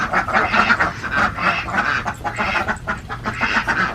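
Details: Farmed Alabio ducks in Central Java quack in a dense, overlapping chorus of raspy, nasal calls that runs on without a break.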